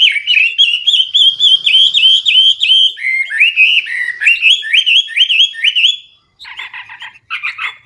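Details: Hwamei (wambi) singing loud, clear, varied song. Long run of rapid rising-and-falling whistled notes, repeated about three or four per second, ends in two short bursts of harsher, buzzy chatter.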